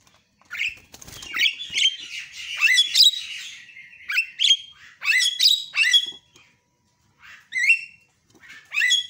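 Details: Javan myna giving harsh, squawky calls mixed with sharp rising whistles, in bursts of several notes with short pauses between, used as a lure recording to get silent mynas calling again.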